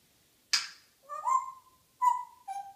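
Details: Morning chatter from a female pet African grey parrot: one harsh broadband squawk, then three clear whistled notes, the first rising then held, the later ones steady and dropping slightly in pitch.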